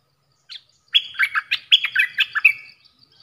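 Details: Stripe-throated bulbul lure song used by trappers: one short call note, then a longer, rapid chattering run of about ten liquid, bubbly notes jumping in pitch, ending in a drawn-out whistle.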